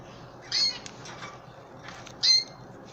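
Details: Pet canaries, adult and chicks, at hand feeding time; two brief shrill chirps with a buzzy high edge, separated by quiet rustling.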